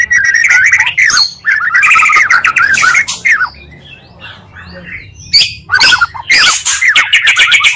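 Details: Oriental magpie-robin lure recording that combines two magpie-robin voices to rouse a bird's aggression: loud, harsh, rasping bursts of rapid scolding chatter, squawky and fast, broken by a brief quiet pause.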